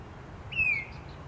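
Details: Tufted titmouse calling loudly in the wild: a single clear, whistled note that slurs gently downward, lasting under half a second, over a faint outdoor hiss.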